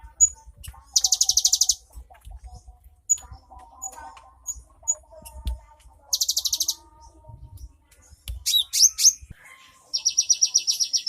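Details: Cinereous tit in a rich 'isian' song: bursts of fast buzzy high trills alternate with short chirps and sweeping notes, with a faint low hum underneath.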